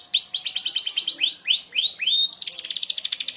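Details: For training other birds, a canary sings 'merlok' sharp shots: a quick stuttering trill, four clear rising whistles about three per second, then a dense high buzzing rattle.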